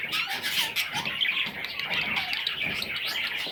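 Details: Continuous high chirping from several parrot chicks, thin and wheezy notes that overlap with no pause throughout.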